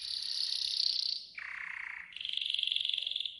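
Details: Training song of a yellow golden canary, with a high rapid trill, then a lower rolling buzzy tour, then a bright mid-high trill, each held about a second.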